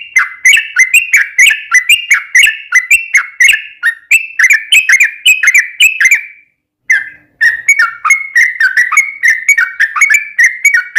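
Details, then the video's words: Long rolling song of a sooty-headed bulbul, used to provoke other bulbuls to respond: rapid chattering run of slurred whistles lasting six seconds, a half-second pause, then the fast phrase resumes just as steadily. "trucukan ropel panjang buat PANCINGAN TRUCUKAN agar bunyi"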